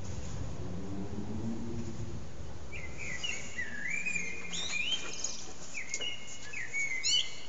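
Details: A blackbird sings from an antenna in a long session with only small pauses. After a low hum at the start come several fluted warbling phrases in quick succession, each finished by high squeaky twitters, over faint background noise.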